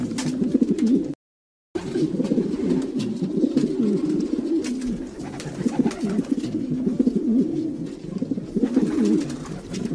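Domestic pigeons coo in low, throaty, overlapping bubbling phrases, nearly continuous with a brief gap, in a small enclosed space.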